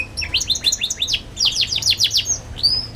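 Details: Young canary song for teaching young canaries to sing: bright repeated downslurred chirps in quick bursts, a pause, a second run of sweeping notes, ending in a single rising whistle.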